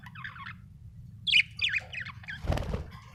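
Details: Happy budgerigar chirping: soft chattering notes, a louder burst of scratchy warbled chirps, then a harsh broadband squawk-like noise, with steady low hum behind.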